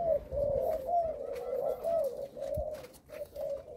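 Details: Caged Malaysian-line spotted dove sire, bred for its stammering coo, heard in a steady run of low soft coos, several per second, over background hiss and faint clatter.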